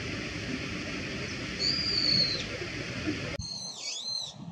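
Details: Brown-eared bulbul: one long, thin, high whistle, then after a sudden cut a harsher, richer note that dips down and climbs back up.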